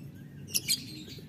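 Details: A biola green lovebird in the morning gives two quick, sharp high chirps in close succession, then falls quiet against a low background hum.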